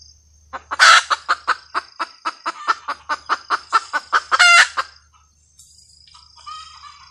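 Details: Red junglefowl hen cackles with a loud squawk, then a long run of rapid, even clucks ending in a second drawn-out squawk. Softer chirping follows, with a steady high-pitched hum behind.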